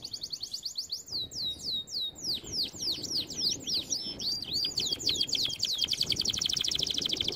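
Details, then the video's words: Canary singing for training: slurred descending whistles at first, then sharp V-shaped notes in quick succession, ending in a dense high-pitched rolling trill. "Most powerful song for training Canary"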